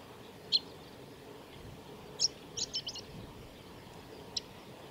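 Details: A male Chestnut-eared bunting (Emberiza fucata) sings at the Kitafuji training ground on 21 May 2017, giving high, thin chips and a quick burst of four or five sharp notes over a steady low outdoor rumble.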